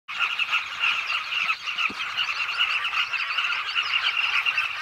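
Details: Southern carmine bee-eaters back at their nesting holes in a bank of the Zambezi River, Zambia: countless throaty, rolling calls overlap into a steady, buzzing colony roar with no pauses.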